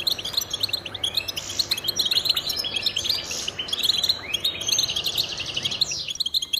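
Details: Goldfinch male's territorial and courtship song, a busy stream of high, tinkling chirps and quick rising slurs with brief buzzy passages, delivered without pause and ending abruptly near the close.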